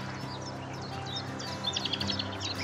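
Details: A hidden Common Nightingale in a nearby tree at Dunwich Heath, Suffolk, early morning of 5 May 2019, cold northerly wind, gives a short burst of quick, high, varied chirps and whistles growing louder, over a low hum.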